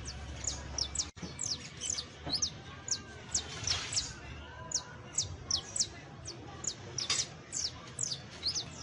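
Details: Saffron finch song, meant as tutoring for another finch: crisp, very high chirps repeated about every second or faster, a brief dropout early on, faint rumbling background.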